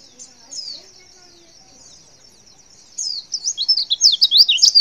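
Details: Call of a female white-eye to prompt males to respond: a few faint notes, then from three seconds a loud, hurried burst of high zigzagging chirps, each slurred up and down.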